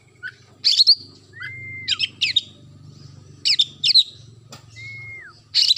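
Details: Oriental magpie-robin in active song: bright, sharp whistled phrases and quick slurred notes alternating with two long level whistles that fall off at the end, all over a steady low mechanical hum.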